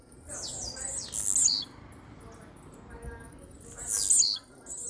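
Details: Blue-black grassquit (tiziu) singing strongly: two short, very high buzzy bursts with a falling slur, about three seconds apart, over a low background hum.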